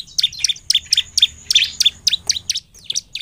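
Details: Continuously singing bar-winged prinia ('gacor'), played to coax other prinias into song: about four crisp high chirps per second, each with a short ringing tail, evenly paced throughout.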